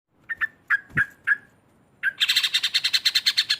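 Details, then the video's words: Sooty-headed bulbul giving a loud ngekek song that runs into narung, used to provoke rival bulbuls: several short separate chirps, then a fast, steady rattling chatter of about twelve bright notes. "ngekek keras sambung narung trucuk lain pasti emosi"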